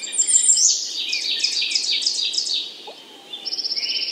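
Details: American redstart calling: a rapid busy run of high, thin chips and trills sweeping through the upper range, then a short burst of quick evenly repeated notes near the end; faint background hiss.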